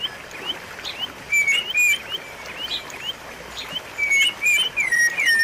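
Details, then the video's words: White-rumped shama singing, used as a lure for shamas that have gone quiet: rapid clear whistles sliding upward, some dropping at the end, delivered in loose bursts with faint high notes behind. "pancingan dan masteran murai batu macet bunyi"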